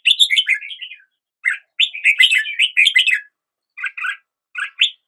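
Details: Red-whiskered bulbul in song as a new day begins, giving quick tumbling whistled phrases, a fuller jumbled warble in the middle, then single short chirps spaced apart.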